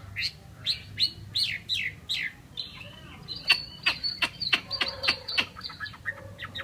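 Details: Chinese hwamei, a kept bird from Vietnam, sings a run of five descending slurred whistles, then a fast series of sharp ringing clicks and chips.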